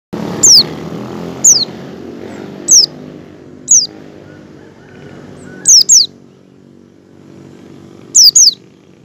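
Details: Oriental white-eye singing in the ngecal style while learning ngalas song, used as a lure to get other white-eyes singing. Sharp high whistles sweep downward, seven in nine seconds, some doubled, with a low hum beneath.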